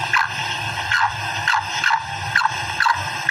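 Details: A female black francolin gives short, squeaky, falling notes, repeated about twice a second, over a steady background hiss.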